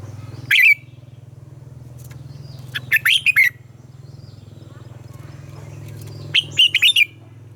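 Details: Caged red-whiskered bulbul delivering morning song to train other bulbuls; three short phrases of sharp, rising and falling warbled notes, a few seconds apart, over a constant low mechanical hum.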